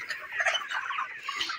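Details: Broiler flock at 29 days old on a farm, with a swell of overlapping chirps and clucking, briefly louder near the middle, then settling back to steady chatter.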